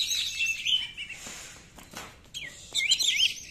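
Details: Oriental magpie-robin 'nembak' song used as a lure for magpie-robins that sing little: varied whistles and twittering phrases over a steady background hiss, with a quieter gap midway.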